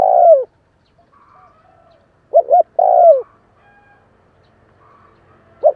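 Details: Spotted dove giving kích bổi calls to rouse newly caught doves. A drawn-out coo sliding down fades out. A short double coo leads straight into another long hoarse coo. A final brief coo follows after a pause, with soft higher chirping from other birds between the phrases.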